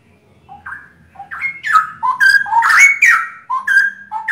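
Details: Straw-headed bulbuls, three kept birds from Indonesia, singing in chorus with a famously loud, ringing voice; bubbling whistled notes climb in pitch and overlap into a dense, rolling warble before easing back to lower phrases.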